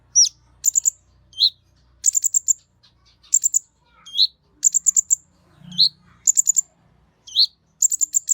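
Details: Kolibri Ninja sunbird song meant to stimulate other birds of its kind: bursts of very high, thin, rapid ticking notes alternate with short upslurred whistles. The phrases are repeated about every second, against near silence.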